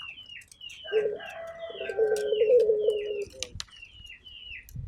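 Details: Local turtle dove giving a long buzzy, trembling coo lasting about two seconds, while small birds repeat short falling whistled chirps throughout and a clatter sounds near the end.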